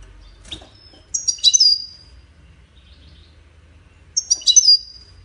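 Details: European goldfinch singing: two short bursts of high, tinkling twittered notes about three seconds apart, separated by near silence with a faint low background hum.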